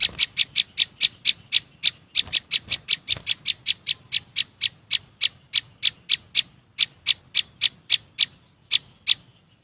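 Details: Flowerpecker, named locally chim sâu xanh, singing: a long run of short, sharp, high ticking notes repeated about three times a second, steady and even, with brief gaps near the end.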